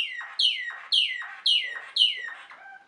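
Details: Waterslager canary (Malinois canary) singing: a series of five loud, falling whistled notes sliding down from high to lower pitch, repeated about every half second, with a softer trailing note at the end.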